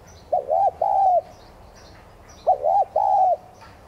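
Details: Spotted dove, tigrina, cooing in the 'thúc gù' manner as a decoy to stimulate freshly caught doves: a pair of low, throaty phrases, each a short rising note joined to a longer falling coo, with quiet background between.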